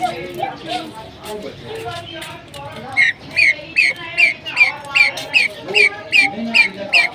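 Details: Several kept pheasants calling: after a few seconds of low chatter and background voices, a steady series of sharp, descending squeaky notes repeats about two and a half times per second to the end.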